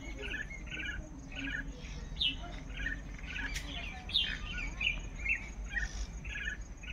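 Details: A group of common mynas chattering in the morning, many short, harsh and whistled notes overlapping at a busy pace over a low rumble.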